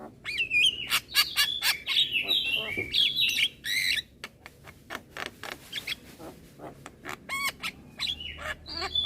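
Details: Young Javan myna in unbroken chatter with head nodding: warbled whistles sliding up and down, a dense string of clicks, then wavering squeaky notes.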